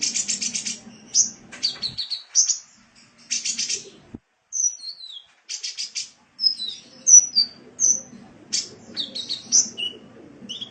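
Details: Indonesian kolibri (sunbird) song for training cage birds: rapid bursts of high buzzy trills alternating with thin, sliding whistled notes, lively and continuous, with brief pauses between phrases.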